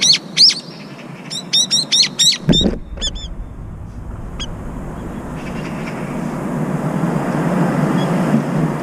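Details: Brown-eared bulbul of a pair, one on lookout while the other bathes and eats: a rapid run of shrill, harsh, arched screeches for about three seconds, then a few isolated notes fading into broad, rushing background noise.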